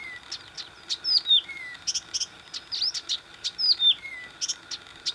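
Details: Blyth's reed warbler song from Warmia, 10 June 2020: a lively run of high chirps and clicks mixed with falling whistled slurs, some dropping to a lower, drawn-out note, phrases recurring every second or so.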